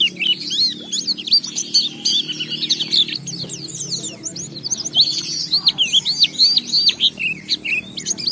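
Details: Oriental white-eye singing as a lure for other white-eyes; continuous high twittering of quick looping and down-slurred notes, swelling in the second half, over a constant low hum.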